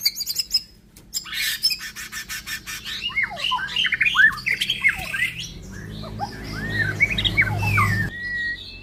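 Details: White-rumped shama, an F5 cross of Bordanias and Balak Sabang lines, singing a varied run of quick slurred whistles and chattering notes after a burst of sharp clicking taps at the start, with a low hum underneath.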